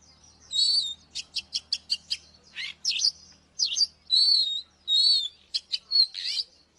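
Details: Oriental magpie-robin song used to provoke fighting, a series of short high chirps and sharp whistled notes with buzzy bursts, delivered in uneven groups with brief pauses, over a faint low hum.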